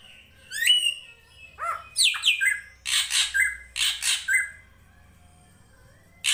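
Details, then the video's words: Drongo (srigunting krantil) tutor recording for songbirds: upsweeping whistles and short falling notes, then a string of rasping, noisy squawks in pairs, ending in quiet. "MASTERAN SRIGUNTING KRANTIL FULL ISIN"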